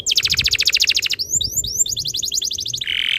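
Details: Canary singing a tutor song meant to get other canaries singing: a rapid pulsed trill, a few rising slurred whistles, another quick rattling roll, then a dense buzzy note at the end.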